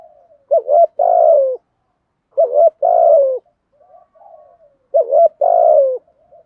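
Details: Decoy spotted dove calling in the 'gù bái' manner with a 'thổ bầu' voice: low coo phrases, each a short double note then a longer slurred, falling coo, three phrases spaced about two seconds apart, quiet between.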